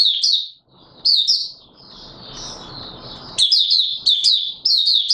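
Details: Oriental white-eye song recorded 24 March 2022, high and squeaky, with chirping phrases broken by a softer, drawn-out twitter and low rustling, then quick bright bursts resume.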